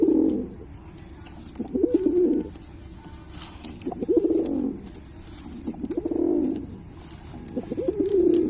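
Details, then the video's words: A Pilkha pigeon gives low, throaty rolling coos in bursts every two seconds or so, with a faint hiss in the background. "Pigeon Sound Effect (Ultra high |pilkha pigeon"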